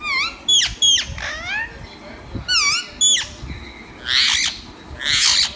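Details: Green parrot voicing loud, ringing whistles that slide up and down, then two harsh, broad squawks near the end.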